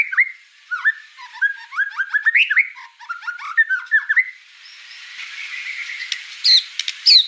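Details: Murai batu (white-rumped shama) singing actively: varied whistled phrases sliding between low and high notes in quick bursts, then a pause with a faint hiss before sharp high notes return near the end.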